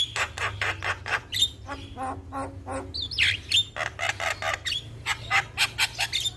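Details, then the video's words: Jalak kebo (black-winged starling) song: quick repeated chips mixed with whistled slurs and harsh rasping notes, with a constant low hum underneath. "Jalak Kebo Gacor Juara"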